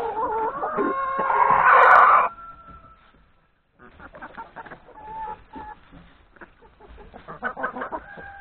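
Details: Hens and three roosters having breakfast in a yard before going to graze in the forest: a loud harsh cackle at the start, a short quiet gap, then scattered clucks and soft calls with scratching noises.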